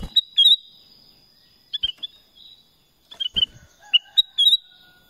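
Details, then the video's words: Kutilang emas, the Black-crested bulbul, gives several clear whistled phrases of sliding notes, separated by brief pauses, with scattered dry clicks in between. "Suara Kutilang Emas | BLACK CRESTED BULBUL"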